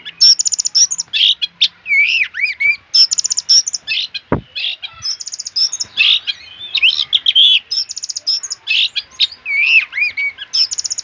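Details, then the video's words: Loud, energetic song from an Oriental magpie-robin: a continuous stream of varied phrases mixing high buzzy trills, sweet whistles and swooping slurred notes, with a single sharp click near the middle. "kacer Gacor dor"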